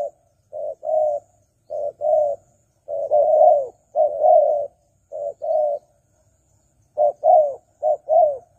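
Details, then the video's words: Spotted dove lure cooing: short note followed by a longer falling coo, repeated in pairs with a louder, fuller phrase in the middle and a quiet gap near the end. "Pikat Tekukur Burung Liar Kurang Galak"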